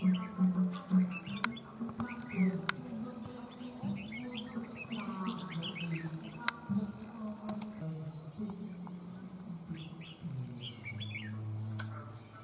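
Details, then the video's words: Wild-caught má trắng songbird singing to dominate a decoy bird, with a mature-sounding voice; rapid chattering series of high chirps and twitters throughout, accompanied by low humming and occasional sharp clicks. "Má trắng VIP CHÉ ĐÈ MỒI GIỌNG NHƯ CHIM GIÀ NẾT CẦU CÁNH MỎ CỰC HAY"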